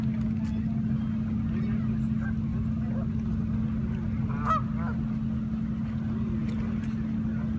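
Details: Canada geese in a flock in Toronto, Ontario, Canada, giving scattered nasal honks, the loudest around the middle, over a steady low droning hum that runs throughout.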